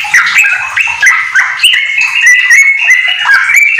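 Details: Rapid ropel song from a household yellow-vented bulbul filled with magpie-robin phrases: a quick chain of short clear whistles and chattery notes, many rising slurs, delivered almost without pause.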